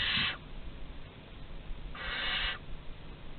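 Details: Barn owl at Théding, France, filmed by nest webcam on 15 August 2020 during prey deliveries at the entrance; two harsh, broadband hissing bursts, one short at the start and a longer one after a quiet gap.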